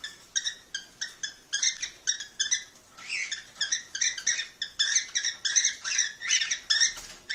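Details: Cockatiels calling to prompt breeding: dense, rapid runs of scratchy chirps, some seemingly overlapping, sounding busier in the second half, with no other noises.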